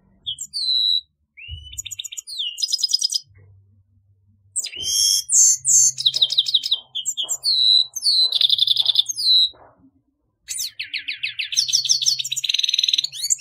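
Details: Extended song of a grey-headed goldfinch: bursts of rapid chirping, tinkling trills and buzzy notes separated by short pauses, with low steady humming tones and faint knocks in the background.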